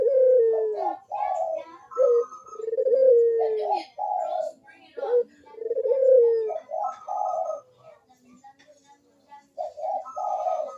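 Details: Barbary dove cooing actively, recorded as a lure to prompt reluctant doves to coo: rolling, slightly descending coos with clipped notes between them, several overlapping coo phrases, then a short pause before cooing resumes.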